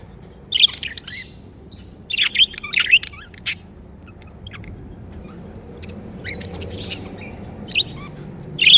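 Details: Pet budgerigars make happy chirping sounds, clusters of high scratchy chirps early on, then sparser single squeaks after a quieter stretch.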